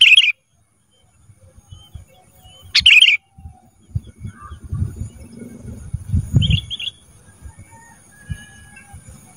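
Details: Black-crested bulbul, recorded for training cage birds: brief whistled phrases, two loud and one softer, with low thuds and rustling background noise.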